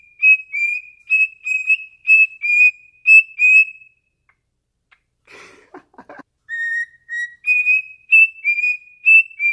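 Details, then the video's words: A pet cockatiel sings to its owner's foot, whistling a run of clear, bright notes at about two per second. It pauses amid brief scratchy rustling, then resumes the same whistled phrase. "Funny Cockatiel Singing To my Foot"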